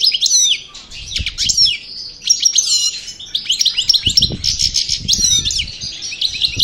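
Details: Parva goldfinch from El Bordj singing after its moult: a dense, hurried run of bright twittering notes and quick buzzy slurs, high-pitched and continuous, with a brief pause midway and soft low knocks in the background.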